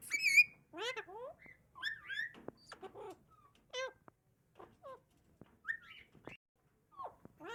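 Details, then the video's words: Alexandrine parakeet (pahari parrot) talking: a run of quick, chattering speech-like syllables with swooping whistled notes and clicks, fairly soft, in a quiet room. "Best talking pahari alexandrine parrot || सबसे अच्छा बोलने वाला तोता ||"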